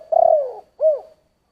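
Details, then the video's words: End of a spotted dove's 'giọng thổ' coo phrase: a rolling coo that slides downward, then one short arched final note fading into silence. "Tiếng chim cu gáy giọng thổ"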